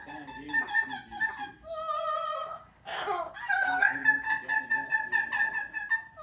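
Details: Amazon parrot sings in a wavering operatic voice imitating the Queen of the Night aria, then gives a harsh burst and a run of clipped, speech-like phrases in a small room, part of a repertoire including sirens.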